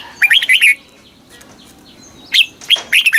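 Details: Caged red-whiskered bulbul in Thailand, southern-style master song for rousing birds and teaching young; two quick chattering phrases of rapid warbled notes separated by a brief pause.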